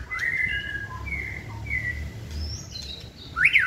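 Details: Singing practice of a caged white-rumped shama hung on a pole: long level whistles and short sliding notes, closing with a loud rising-and-falling note, over a low background rumble.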